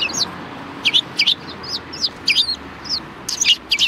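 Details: Sparrows at a Tenmangu shrine, recorded 4 March 2020, utter sharp, high chirps with scattered pauses, a few notes bunched together near the end.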